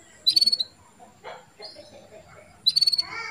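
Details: Female canary calling to stimulate a male to breed: two rapid bursts of five or six high, clipped chirps roughly two and a half seconds apart, with soft warbling and background noise in between.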